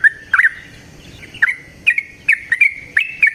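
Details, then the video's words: Yellow-vented bulbul in natural surroundings giving 'ropel panjang' song; short bubbling phrases of two or three notes spaced about half a second apart. "Trucukan GACOR ngalas ROPEL PANJANG suara alam"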